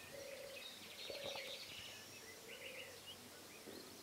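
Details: Black-headed Bunting (Emberiza melanocephala) gives short, scratchy, jangling phrases high in pitch, two bursts a couple of seconds apart, over low hollow tones and outdoor background noise.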